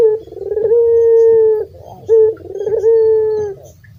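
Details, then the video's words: Local Barbary dove, a frequent caller kept for songbird training, giving two coos: a short rising note, then a long steady mid-pitched hum that fades, with a brief gap between the two phrases. "PUTER GACOR LOKAL SUARA KHAS COCOK BUAT MASTERAN"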